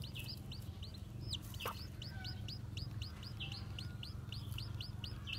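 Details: Freshly hatched white Japanese bantam chicks with black tails, out walking, peep continuously: shrill arched notes repeated several times a second, a few overlapping, over a low background hum and one brief click.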